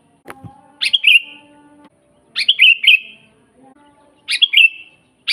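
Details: Sooty-headed bulbul in full voice, natural recording for training captive bulbuls or attracting wild ones: three chirpy, gurgling phrases at steady intervals near 1.7 seconds, each ending in a fading whistle; a brief knock and low hum before the first.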